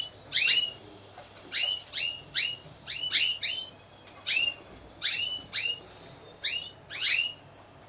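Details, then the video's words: Timbrado Español canaries in a team-of-four category at a singing competition and exhibition, 25 November 2015: sharp, metallic, downward-sweeping notes in short clusters, repeated every half second to a second, with quiet gaps between. "Καναρινιών Φωνής Timbrado Español"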